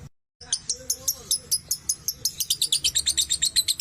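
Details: Lovebird chattering to encourage other lovebirds to sing: after a brief silence, a fast run of high, shrill, clipped notes builds into a rapid, steady chatter of about three notes per second, with faint soft whistles underneath.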